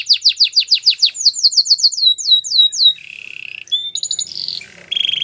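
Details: ['White canary singing a training song: a fast run of repeated descending whistled notes, then a quicker series of sweeping slurred notes, followed by a low buzzy roll and short bright chirps and trills.']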